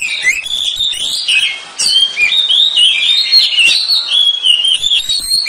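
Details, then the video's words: Oriental magpie-robin (kacer) training song meant to make a bird chatter in 'ngeriwik' style: rich, fast, varied whistled and chattering phrases, sliding up and down, almost without pause, with a brief dip near two seconds. "TERAPI KACER DAHSYAT I TERAPI KACER ANTI LEMOT MENTAL JUARA LANGSUNG NGERIWIK"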